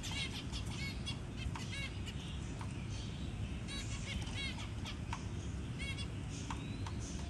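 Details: Zebra finch parent feeding a newly hatched chick; scattered faint stacked chirps and short clicks over strong low rumbling background noise.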